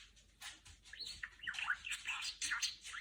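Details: Caged female budgerigar imitating R2-D2 sounds indoors: a buzzy burst, then a run of bent whistled notes and scratchy chirps growing steadily busier toward the end.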